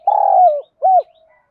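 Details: Spotted dove, field-type voice, cooing and calling, used to excite birds in training; two mellow low coos, the first long and slightly wavering, the second short and arched, then a faint trailing tail.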